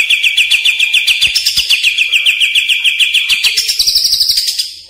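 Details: Greater green leafbird (cucak ijo) lure call for training caged birds: a long, rapid trill of high clear notes at a steady pitch, rising to a higher trill near the end.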